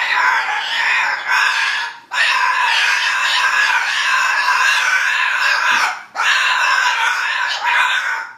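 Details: Female pet cockatoo screeching in long, harsh, broadband bursts lasting several seconds, broken by two brief gaps.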